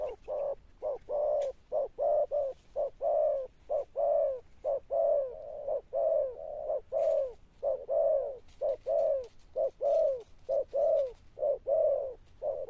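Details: Wild-caught Spotted dove cooing in the Sấm Thổ style, a low, deep, thunder-like tone. Short and longer coo notes repeat steadily, about one per second, through the whole stretch. The background is quiet.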